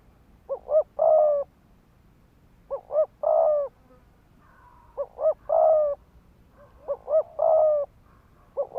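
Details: Decoy spotted dove cooing rapidly in 'thúc gù' style to make males fight; four phrases of two short coos and a long coo about every two seconds, with a faint second coo in the background.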